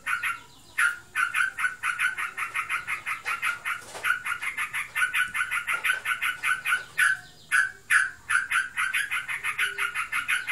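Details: Sooty-headed bulbul kept at home and described as in breeding condition, chattering ngebren-style in rapid buzzy notes, broken by several short pauses and a few louder, drawn-out harsh calls.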